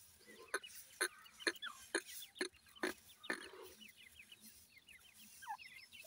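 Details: Teetar, or grey francolin, chicks calling their mother at feeding time: sharp ticking pecks about twice a second, then runs of rapid high downslurred peeps and a soft low cluck.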